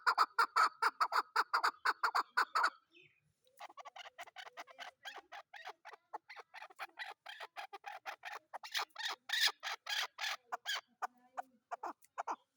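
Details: Chukar partridge, described as a hunter's and desi chakor, calling in rapid, evenly repeated clucking chuk notes with bright harmonics; a loud burst of about eighteen notes, a brief pause, then a long series that swells and fades.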